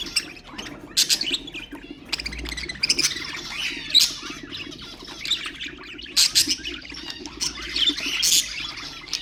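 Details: Ornamental budgerigars warbling to stimulate other birds: a continuous stream of high scratchy chatter punctuated by loud chirps every second or two, with a faint low hum.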